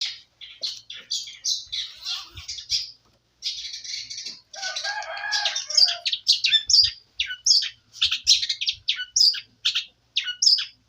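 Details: Canary song used as training material: a busy, scratchy run of short high chirps and buzzy notes, with a harsher rasping phrase near the middle and rapid sharp notes after it.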